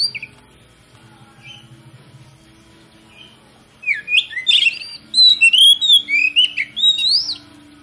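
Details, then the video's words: Oriental magpie-robin (kacer) lure song, meant to rouse other magpie-robins to sing: after a few faint distant whistles and a long quiet stretch, a burst of loud, varied whistles and upslurred notes runs for about three and a half seconds. "PANCINGAN KACER PALING AMPUH MERANGSANG KACER LAIN AGAR LANGSUNG BONGKAR ISIAN"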